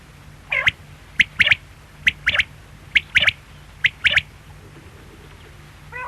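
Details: Quail calling with sharp three-note phrases: a single high note followed by a quick double note, repeated roughly every second, with a steady low hum underneath.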